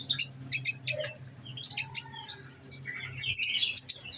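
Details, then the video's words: Caged olive-backed sunbird (konin), kept on nectar, singing in the rapid 'nembak' shooting style: sharp, very high chirps and thin whistles in short bursts with pauses, over a low steady hum. "bunyi nembak nembak"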